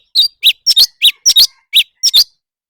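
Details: Leafbird singing in a contest, a brisk series of bright, short chirped notes, several paired into quick doublets, in a steady, clean burst.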